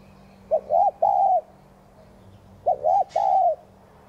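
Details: Cage spotted dove cooing to prompt other doves: two low phrases, each a brief wavering note followed by a longer steady coo, about two seconds apart, over a faint steady hum.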